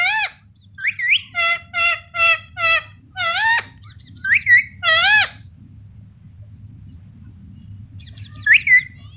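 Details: Talking Indian ringneck parrot: a rapid run of six short, rasping, evenly spaced notes, then swooping warbled whistles, a long quiet pause with faint low hum, and one final twisting call.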